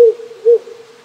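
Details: Wild owl calling at night from small hills beside a rural Japanese home, recorded on a cold spring night: low, pure hoots near 500, two short notes about half a second apart with a lingering tone, quiet background.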